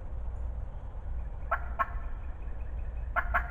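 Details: Talkative wild turkey hen, close, spring 2020 season: two quick pairs of hoarse yelps, the pairs about one and a half seconds apart, over a low steady hum.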